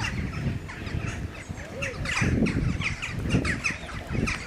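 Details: A common moorhen at Slimbridge gives short, harsh, squawky notes repeated about twice a second, over a steady low rumble of wind or water.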